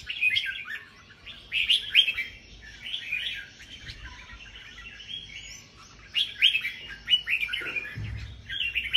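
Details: Caged red-whiskered bulbuls of the variegated 'bông' type in a cage-bird singing competition at Buôn Ma Thuột, Đắk Lắk, Vietnam. Bursts of bright, chattering, warbled phrases overlap and repeat in quick succession, with faint low background rumble.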